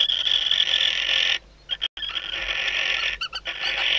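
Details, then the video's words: Barn owls inside a nest box at Riet Vell, Ebro Delta, during a nighttime visit by the male before the first chick hatches. Shrill, sustained, hissing screeching, interrupted by a pause and then a few quick, clipped notes. "AMOR LECHUZO - Lechuza común"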